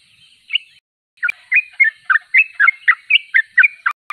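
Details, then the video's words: Short passage of Sooty-headed bulbul song after a brief gap: a lively series of quick, slurred chirps about four per second, punctuated by a couple of sharp clicks. "Trucuk termewah suaranya paling di cari"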